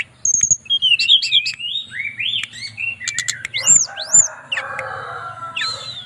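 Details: Mountain tailorbird kept in Purworejo, Central Java, singing a relaxed flute-like song to a female: wavering whistles, then rising phrases and high arched notes, followed by a lower buzzy tone with faint background hum.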